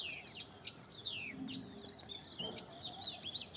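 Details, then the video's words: Birds chirping in the early morning: scattered high, thin chirps and short twittering trills over steady background hiss and low noise. "Sweet Bird Chirping in Early Morning पक्ष्यांचा गोड आवाज"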